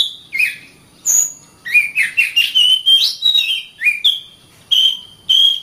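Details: An Oriental magpie-robin sings a varied, melodious phrase of slurred whistles, some rising, some falling, with short chattering notes between, recorded as a training song for caged birds.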